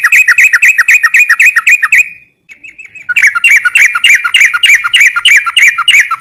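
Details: Yellow-vented bulbul pouring out fast, chirpy notes repeated about four per second, with a brief thin whistle in a pause before the rapid chirping resumes.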